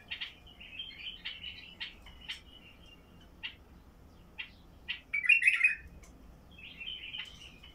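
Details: Song of a Basra bulbul with a deep voice, used to get silent bulbuls singing: irregular sharp chips and short whistled phrases, climaxing in one loud bubbling warble late on.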